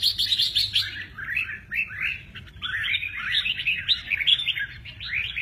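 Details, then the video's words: Red-whiskered bulbul singing in the mơ ché nẹt style while showing lively wing play; a steady stream of bright, warbling, up-and-down chirped notes runs through the whole passage, with faint low background hum. "Chào mào mơ ché nẹt, chơi cánh rất hay"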